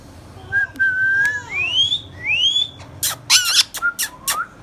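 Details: Pet green Indian ringneck parakeet, hand tame and talking: a level whistle followed by two rising whistled slurs, then a burst of harsh shrill squawks and short clicks with small whistled notes.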